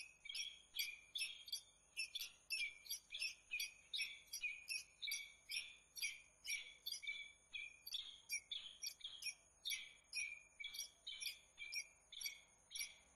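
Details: Peregrine falcon at Włocławek, Poland, recorded on 15 January 2013, giving a harsh, scratchy, repeated cackle, about two notes a second, with roughly twenty-five rapid notes in a steady series.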